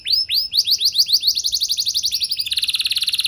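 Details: Long 'gacor' canary song meant to set other canaries singing: high downward-curving whistles that speed up into a rapid, even, metallic trill.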